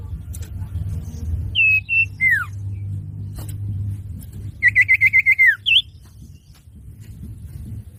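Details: Common iora (cipoh) song played as a lure for trapping or training: short whistled notes and a falling slur, a pause, then a quick trill of pulsed notes ending in a downslur and a high rising note, over low hum.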